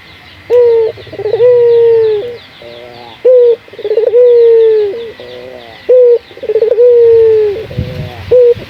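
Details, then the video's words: Lure call of a local puter dove meant to spur caged doves into calling: a repeating phrase of a short hoot, a long even coo and a stuttering run of rolling notes, three cycles in nine seconds. "Pancingan burung puter gacor, melatih burung puter lokal agar cepat gacor"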